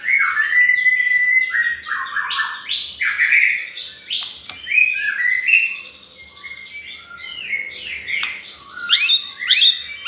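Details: White-rumped shama song as a lure to provoke other birds: strings of loud descending whistles and warbled phrases, with sharp clicks near the end.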